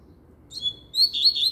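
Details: Double-collared seedeater song: a thin high whistle, then a burst of rapid, high twittering phrases with sharp upward and downward slurs, heard clearly against a soft background hum.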